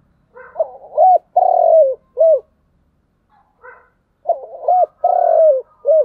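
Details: Spotted dove 'thúc gù' phrases, twice: faint stuttering lead notes, an arched note, a long falling coo and a final arched note, the phrases roughly three seconds apart.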